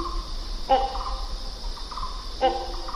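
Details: Two abrupt, raucous barks from a great hornbill, nearly two seconds apart, each trailed by brief honking tones, while insects keep up a constant shrill hum in the background.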